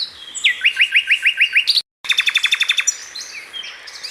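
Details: Common Nightingale singing in wild surroundings: a row of rapid rising whistled strokes repeated about eight times, a sudden brief break, then a fast sequence of sharp repeated notes and softer twitters.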